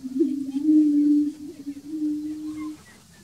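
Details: A greater prairie-chicken on a lek at Bledsoe Ranch gives a low, hollow, moaning hoot, held steady for over two seconds with a slight lift at the start; faint higher bird notes sound in the background.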